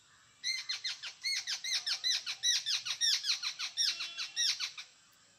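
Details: Jungle babblers (Argya striata) in Konkan, India, give a rapid run of harsh, squeaky, grating chattering notes, about twenty in five seconds, with several birds possibly overlapping.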